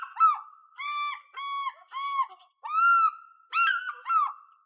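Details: An African fish eagle calling for its partner gives a loud, ringing series of about six yelping notes, each clear and strongly harmonic, spaced under a second apart. No other sounds intrude.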